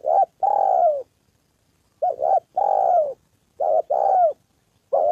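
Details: Training decoy spotted dove in Gia Lai, Vietnam, during the 2 September holiday, encountering a wild male and a female: three phrases about two seconds apart, each a quick double coo and a long drooping coo, faint high ticks above.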